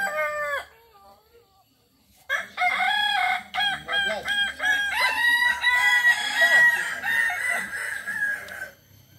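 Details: Kukuak Balenggek chicken, an endemic village breed of Tigo Lurah, Solok, West Sumatra, now widely bred there, whose crow climbs through many levels. A short opening crow, silence, then a long crow of many rapid stepped notes ending in sustained tones.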